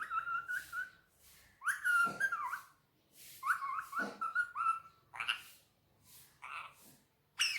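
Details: Talking Indian ringneck parakeet sitting on a table, mimicking Urdu/Hindi words: harmonic, voice-like phrases with breathy consonants, two louder sweeping bursts and softer trailing syllables.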